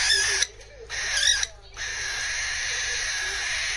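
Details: A young pet cockatiel being weaned onto eating by itself, regressing to a baby voice: a harsh, hissing begging rasp in long steady bursts, broken by two brief pauses.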